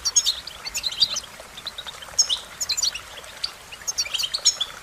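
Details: American goldfinch giving high, chattering twitters in quick bursts, several in a few seconds, each a spray of short bright chirps, over a faint hiss.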